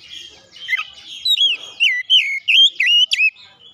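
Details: Oriental magpie-robin singing as a lure: a series of loud, looping whistled notes, each swooping down then up, repeated about every half second above a soft background whistle.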